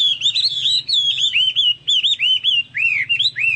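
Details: Song of a Chinese hwamei that resembles cucak Papua or cucak mas: a continuous stream of clear whistled notes, wavering and sliding up and down, with brief pauses between phrases.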